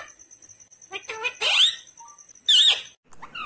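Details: Pet talking parrot producing raspy, speech-like bursts mixed with a wavering whistled note, over a steady high-pitched tone and brief silences.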